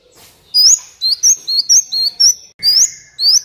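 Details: Sunbird song used to train caged birds to sing and to draw wild birds down. Rapid series of high, clipped, rising whistles, close together, after a short quiet start.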